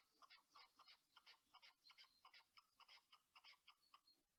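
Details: Red-legged partridge, a non-native bird released for shooting on British farmland, gives a steady run of harsh, wheezy chuffing notes, about three a second, with a hoarse, asthmatic quality.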